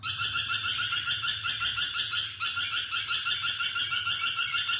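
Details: Lorikeet in energetic, nonstop chattering song, used as a training track for magpie-robins. Harsh buzzy screeching pulses come in an unbroken run at about three per second, with a brief dip partway through.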